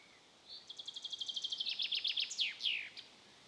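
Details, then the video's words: Common chaffinch perched on a birch branch on a spring evening sings a bright, high, quick run of repeated notes that speeds up and ends in a downward flourish; quiet background. "Common Chaffinch Perched On A Birch Branch And Singing"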